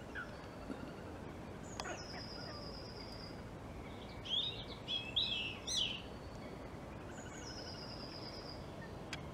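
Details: European robin singing a rapid, jumbled phrase of high, thin warbles and trills in the middle, with drawn-out faint whistled notes before and after, set against constant low environmental rumble.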